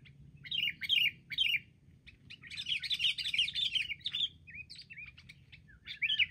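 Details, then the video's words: Wild sooty-headed bulbuls mobbing as a group, eventually brought down: three loud chirpy bursts, then a busy jumble of overlapping warbles, ending in separate slurred whistles and a final loud phrase. "burung KUTILANG liar beraninya keroyokan"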